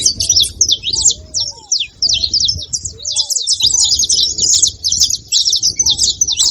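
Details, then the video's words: Several saffron finches calling at once, a lively jumble of sharp, high chirps and trills, with brief low slurred whistles appearing now and then below and short quiet gaps in the background. "Canarinhos da terra fazendo barulho"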